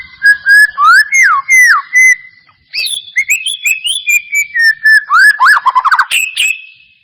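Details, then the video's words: White-rumped shama lure to provoke song: loud swooping whistled phrases, a short break, then a fast varied series of whistles, trills and rapid chattered notes ending in a sustained whistle. "Pancingan murai batu mancet bunyi ‼️ pancingan murai batu males bunyi‼️respon cepat"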